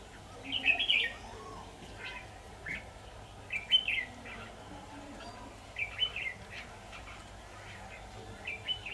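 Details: Decoy red-whiskered bulbul used for trapping, 23 October 2019, giving brief chirpy whistled phrases spaced a few seconds apart, some louder than others, against a constant low rumble.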